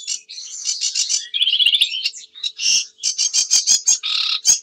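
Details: Sedge warbler delivering a varied, hurried song that mixes scratchy chatter, a brief rattling trill, sharp clicks and squeaky whistles. It runs continuously in the clear, with no other sounds.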